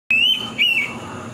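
Indian pitta giving a loud, clear two-note whistle, the first note slightly rising, the second following half a second later and trailing off.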